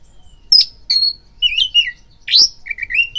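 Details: Oriental magpie-robin song used as a lure to raise a rival's fighting mood: sharp high notes followed by clear whistled phrases sliding between middle and high pitch, with short pauses and no other sounds.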